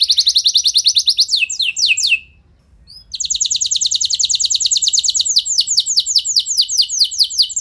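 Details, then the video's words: Canary singing as a lure to stir other canaries into singing long rolls: a fast rattling trill of high notes, a short silence about halfway, then a long rapid trill that runs on steadily. "Ampuh Buat Merangsang Emosi Burung Kenari Lain Biar Gacor Ikut Ngeroll Panjang"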